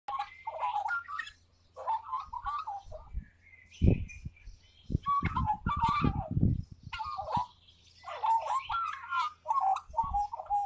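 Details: A magpie called Fatboy sings a solo: a long, varied warbling song of fluty, gurgling phrases with short pauses, over a low steady hum and a few dull thumps.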